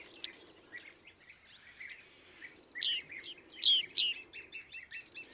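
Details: Bearded reedling recorded at a hide near Emmen in the Netherlands: soft scattered chirps build into louder ringing, twangy pinging calls, then a quick run of evenly spaced high ticks at the end.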